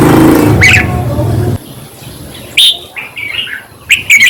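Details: Red-whiskered bulbul song meant to excite caged birds: after a low droning noise fades, several sharp, bubbly chirped phrases come in short bursts, the final one rapid and jumbled.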